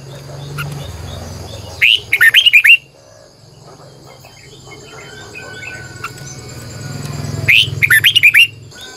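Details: Red-whiskered bulbul's long, twisting morning song, repeated twice about six seconds apart. Each phrase is a fast string of whistled, up-and-down notes over a steady low hum and faint chirps.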